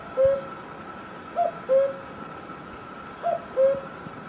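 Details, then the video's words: Cuckoo from Himachal Pradesh, India: two full cu-ckoo calls plus a trailing low note, each pair a short higher note sliding to a longer lower one, spaced about one and a half seconds apart, light background hum. "Cuckoo Bird Sound"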